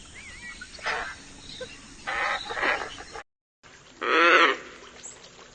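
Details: Scarlet ibis giving harsh, croaking calls in short bursts, a faint whistle from another bird at the start, a brief silent gap, then one loud drawn-out grating call.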